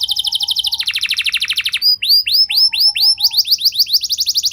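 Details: Canary song to get other canaries singing long: fast buzzy trill with a low murmur, then clear looping whistled upslurs, then a quick series of rising notes.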